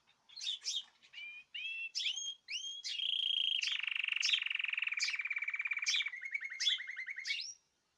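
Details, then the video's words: Caged birds singing on 14 March 2026: short rising whistled notes, then a long loud buzzy trill lasting several seconds and a final thin whistle. "تغريد جماعي للطيور"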